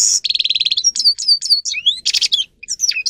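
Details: Grey-crowned goldfinch training song, loud and close: a short buzzy trill, then sweet descending whistles and twittering slurs, another buzzy burst, and more quick high chirps.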